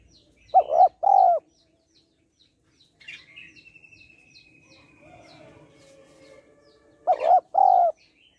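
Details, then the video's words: Female spotted dove cooing to stimulate males: a pair of low, hollow coos, a long pause filled with soft chatter and a thin whistle, then another matching double coo. "Cu gáy mái kích trống/ tiếng cu gáy mái kích trống hay"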